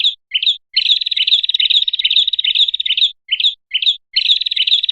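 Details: Prinia call played to lure birds: brief paired chirps break into a long buzzy, rapidly pulsed trill lasting over two seconds, then more chirps and another trill. No other sounds.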